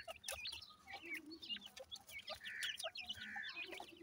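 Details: Grey francolin chicks chirp in a busy chorus of short high slurred notes and a few longer, steadier peeps, with soft clicks throughout.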